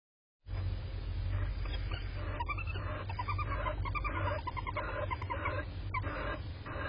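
Barn owl giving a steady, harsh hissing rasp mixed with short twittering notes, over a constant deep rumble.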